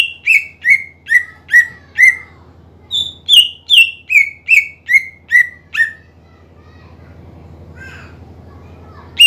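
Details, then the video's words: Greater green leafbird in full song meant to stir up a reluctant rival into singing, delivering rapid strings of bright whistled notes that step downward in pitch, roughly two to three per second, then a pause with low background hum. "PANCINGAN CUCAK IJO GACOR MEMANCING EMOSI LAWAN AGAR RAJIN BUNYI"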